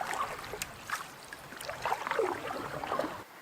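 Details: Paddle strokes and water splashing and gurgling around a canoe, with no animal voices.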